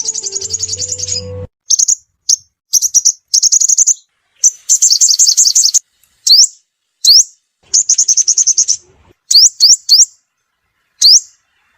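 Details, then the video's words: Sunbird lure call used to attract birds for trapping: scattered high twittering bursts and sharp rising chirps with pauses between, a faint low hum at the start. "Tiếng chim hút mật mồi gọi bổi. Rất nhạy"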